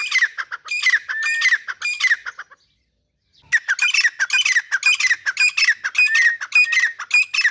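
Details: A pair of grey francolins of the Dhakni type calling. Harsh, repeated squawking notes come in rapid bursts, then a silent gap of about a second, then another run of rasping calls.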